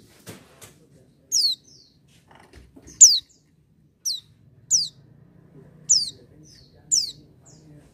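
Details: Oriental white-eye, described as singing vigorously without doping: sharp, high, steeply descending chirps repeated roughly once a second with quiet gaps, plus a few faint clicks early on.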